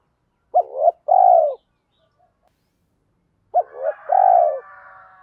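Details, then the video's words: Spotted dove lure with a 'thổ pha' voice and rapid sewing-machine-like cooing, meant to draw answering coos from wild males. Two phrases of clipped double note plus long mellow coo. A faint tonal hum follows the second phrase. "chim cu gáy mồi giọng thổ pha thúc gù như máy khâu, bổi nghe ức chế gáy theo, mở là gáy"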